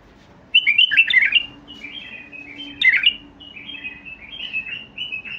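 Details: Basra (white-eared) bulbul singing: a bright warbled phrase of rapid slurred notes, then a second burst near three seconds and softer trailing chirps, over a faint steady low hum.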